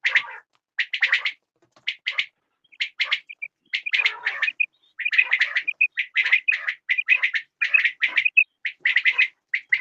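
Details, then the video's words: Continuous quail calling, likely several birds: dense runs of raspy, clipped chirps interleaved with short clear whistled pips. The calling carries on almost without pause through the recording. "Bedana sayrashi Batair Ki Awaz Quail sounds بٹیروں کی سپیشل زبردست آواز"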